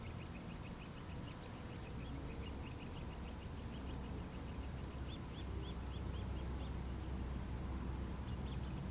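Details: Nuttall's woodpecker chicks being fed, giving rapid, thin, high chirps about four per second, rising and falling, louder in a burst midway, over a steady low rumble of background noise.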